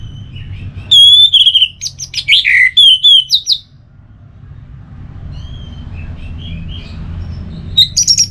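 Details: Orange-headed thrush, a kept songbird from Singaraja, North Bali, pours out a loud run of varied whistled and trilled notes for nearly three seconds, then soft distant chirps, and a short fresh burst at the end.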